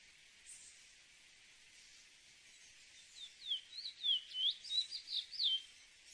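Chestnut-bellied seed finch singing a fast, varied run of sweet, high slurred whistles and warbles over about three seconds, against a steady background hiss.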